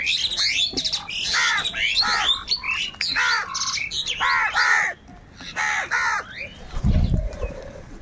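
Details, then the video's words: A huge flock of crows fighting for food, giving a dense run of harsh, arching, harmonic caws that overlap and tumble one after another for about five seconds, thinning out near the end with a low thump. "Huge numbers of Crows crowing and Crying sounds"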